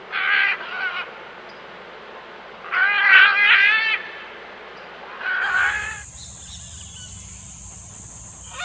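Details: Wild great green macaws, an endangered Costa Rican species, feeding. They give three bouts of harsh, raucous squawks, each about a second long, and a steady high hiss and low rumble follow near the end.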